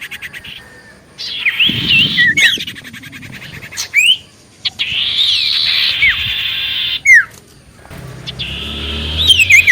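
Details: Lively common iora song meant to draw replies from other ioras: long buzzy churring stretches broken by sharp falling and rising whistled slurs, with a faint low rumble underneath at times.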